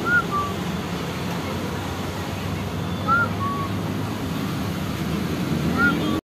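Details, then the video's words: A finch gives three brief two-note calls, a higher slurred note dropping to a lower one, roughly every three seconds, over a steady low rumble of wind or traffic. "finch bird sound"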